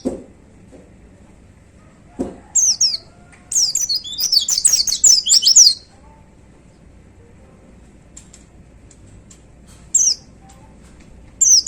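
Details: Caged pleci, a white-eye, gives short high chirps, then a dense two-second 'tembakan' outburst of rapid slurred whistles, followed by silence and two more isolated sharp chirps.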